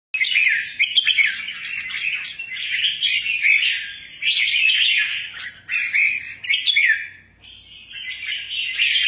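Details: Rare albino red-whiskered bulbul singing busily: a dense, continuous run of chattering, warbled notes in quick bursts, with brief pauses near four and seven seconds before the scratchy twittering resumes.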